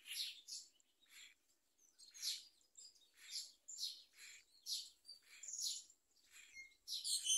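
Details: Myna chick fed a large blue caterpillar by a parent; a quieter, steady series of short, scratchy chirps, about two a second, with some thin whistled notes mixed in.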